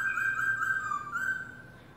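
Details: Black-throated laughingthrush giving a single long, pure whistled note that dips slightly in pitch and then fades, with a faint low hum behind it.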